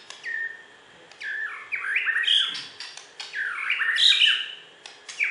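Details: Champion Borneo white-rumped shama, a West Kalimantan contest bird, delivering rich, fluid song phrases of swooping whistles and rapid warbled notes in two long bursts, with faint clicks between them.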